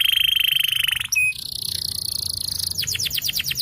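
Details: Yellow canary, champion singer, long song: a high rattling trill, a brief pure note, a softer buzzing passage, then a rapid tour of repeated falling sweeps.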